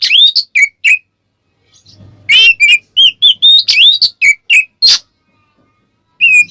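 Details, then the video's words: Oriental magpie-robin ngeplong song used to goad other magpie-robins: bursts of sweeping whistles and sharp chips, a gap with faint low noise, then a brisk sequence of whistled and scratchy notes. "suara burung Kacer NGEPLONG pancingan Kacer agar ikutan emosi"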